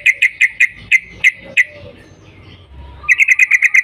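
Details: Yellow-vented bulbul, locally trucukan, calling in the morning to prompt other bulbuls to sing: spaced sharp chirps, a quiet gap, then a quick rattling run of eight notes.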